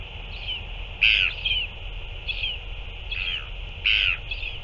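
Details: Repeated grating, buzzy calls, some doubled, arriving about once a second from a northern royal albatross during a feeding on 9 February 2024, over continuous hiss.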